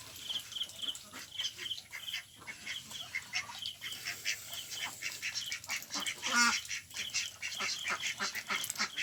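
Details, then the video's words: Ducks of mixed kinds, including Mandarin Ducks, Mallards and Pekin Ducks, calling together: a busy run of short, harsh, nasal quacks overlapping one another, with one louder honking call near the end. "Ducks Quacking"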